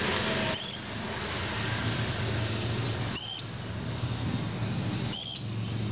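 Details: Male blue-crowned hanging parrot, recording dated 17 July 2020: three separate short, piercing high-pitched chirps, roughly two seconds apart, against a quiet low hum.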